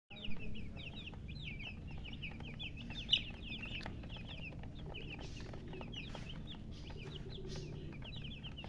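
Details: Just-born chicken chicks chirping loudly: a dense, overlapping stream of high, short slurred peeps, several per second, over a steady low rumble of background noise.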